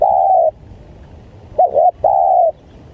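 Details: Spotted dove used to lure wild birds: the end of a long steady coo, a pause, then two short curved notes and another half-second level coo.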